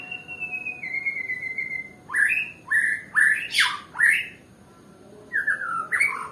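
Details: White-rumped shama of the Nias type, described as a lazy singer: a long, even whistled note drifting slightly downward, then a burst of loud, rich, swooping phrases with sharp rising notes, a pause, and more varied phrases.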